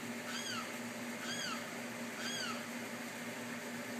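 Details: A Limpkin in Tampa gives three loud, wailing calls, each sliding downward, spaced about a second apart, over a steady low hum and background hiss.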